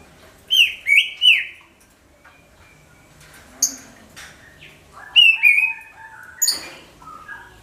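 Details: Booming greater green leafbird song used to lure all kinds of birds; three quick falling whistled notes, scattered softer calls, then another short burst of swooping phrases.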